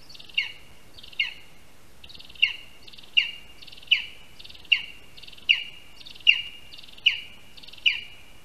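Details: Lesser spotted eagle (Clanga pomarina) at its spruce nest in Latvia on 22 August 2021, as a rat, the first prey, is handed over on the tree. A steady series of high, sharp yelps, each sliding down, repeats about every 0.8 seconds over light hiss.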